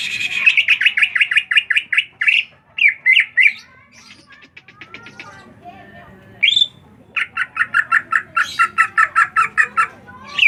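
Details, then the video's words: Bird giving long series of loud, harsh, squawking notes repeated several times per second, with a short pause midway and a faint rumble underneath. "Cuman burung ngriwik"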